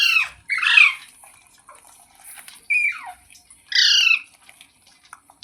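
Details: Four loud, raspy squawks from a ringneck parrot, each a short harsh burst falling in pitch, separated by brief silent gaps in a quiet room.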